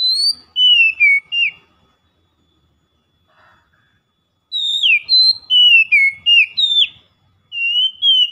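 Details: Oriental magpie-robin singing a loud daily lure song, in the style called ngeplong: clear whistled phrases of sliding and falling notes, delivered in bursts with a silent pause of about three seconds between them.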